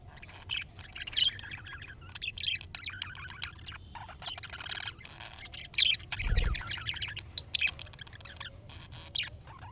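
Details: Budgerigar calls played to get a pet budgie to respond; busy chattering warble of short chirps and squawks, with a brief low thump midway.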